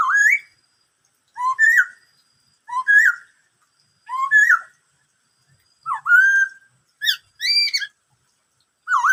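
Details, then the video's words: Black-throated laughingthrush delivering repeated "bắt cô trói cột" phrases, roughly every one and a half seconds. Each is a low note leaping to a higher slurred whistle, followed near the end by brief sharp rising notes. "em khướu bạc má hót bắt cô trói cột [noog sab hwj quaj suab ntau yam zaj suab]"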